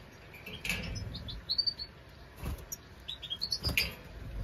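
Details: European goldfinch at its nest giving short high twittering notes in scattered bursts, some rising and some falling, with soft rustling and background hiss between phrases.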